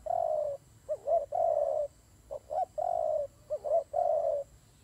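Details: During a dove fight, low rasping coos come in a steady pattern, long droning notes broken by quick wavering double notes, about one phrase per second.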